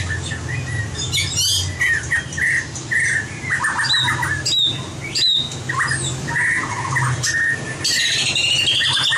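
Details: White-rumped shama competition singing, played for voice training: varied bursts of whistled and chattering phrases, some sweeping up and down, others rapid and scratchy, separated by short pauses.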